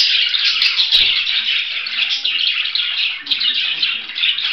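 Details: Budgerigar warbling in a dense, scratchy twitter, with a short dip around 3.3 seconds and a faint knock near one second.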